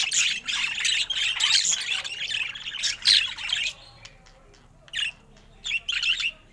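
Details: A happy-looking pet budgerigar sings a loud, rich, high warbling burst for about four seconds, then breaks into short separate chirpy phrases with quiet gaps between them.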